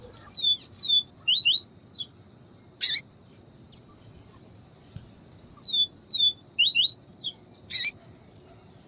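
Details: Clean 'viviti' song of a papa-capim, Yellow-bellied seedeater, with female calling to excite the male; two repeated phrases of falling whistles then fast upslurred notes, a click between them, steady shrill insect drone throughout.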